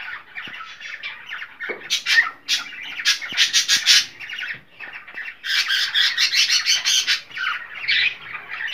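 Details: Cockatiel calling to stimulate mating: a dense, rapid stream of harsh squawks and scratchy chatter in two long bursts with a short pause between them, loud and buzzy throughout, with occasional faint clicks.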